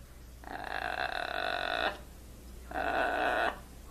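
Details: Blue-and-gold macaw kept as a trained pet giving two drawn-out, steady, nasal wailing sounds, the first about one and a half seconds long, the second shorter, with strong even harmonics.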